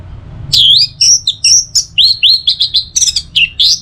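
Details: Orange-headed thrush, a training and lure recording for teler song: a fast, continuous string of bright whistled notes, each upslurred or downslurred, delivered about four per second with no pause.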